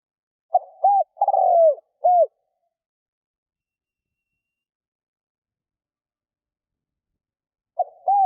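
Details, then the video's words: Spotted dove used as a decoy to lure wild doves, cooing in a low, mellow three-part phrase: two short hollow notes, then a longer slurred coo and a final short coo. About five seconds of silence follow before the phrase begins again. "Tiếng cu mồi thúc gù gáy kích bổi cực nhạy / Tiếng chim cu gáy kích bổi nhanh nổi mới"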